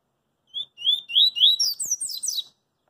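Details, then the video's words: A Double-collared Seedeater sings on a street, a quick two-second phrase of clear slurred whistles that starts low and climbs into higher tumbling notes, with a faint background rattle. "CoLEiro CoringA cantando na Rua"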